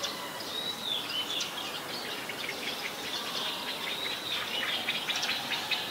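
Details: Female house sparrow, a very common resident, recorded in Ubon Ratchathani, Thailand, on February 5, 2020. Short bright chirps at a mid-high pitch come irregularly throughout, with some thin whistled notes near the start, over a steady hiss of insect-like background noise.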